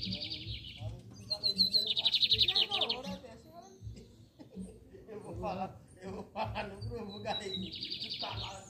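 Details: Lined seedeater, locally bigodinho, in a contest with torneado song: buzzy high trills preceded by thin whistles, three phrases, alongside a man's speech, chirps from other birds and repeated low knocking.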